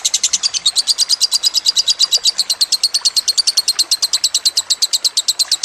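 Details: Lovebird song used as a training recording for cage birds: rapid high chirping notes, about six per second, in a steady run that speeds up slightly toward the end.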